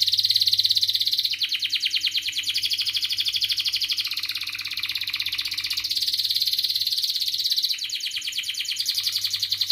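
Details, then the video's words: Long canary song used as a lure for young birds learning sounds; a sustained fast, buzzy high trill with shifts in pattern every few seconds, over a faint low hum. "kenari gacor panjang Cuit Cuit EMOSI, Pancingan Kenari Paud Belajar Bunyi, terapi AMPUH Kenari MACET"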